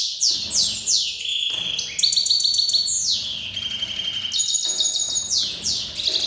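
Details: Tamed Iranian goldfinch, a Himalayan and black-headed cross, singing during breeding season: sustained bright high twittering, buzzy trills and descending sweeps in a continuous flowing stream, with a few steady ringing tones.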